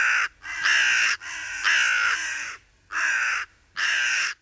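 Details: Hooded crow foraging in a meadow among a large group, pecking at an acorn while another watches; five harsh, rasping caws of varying length, some long and drawn out, with short gaps between.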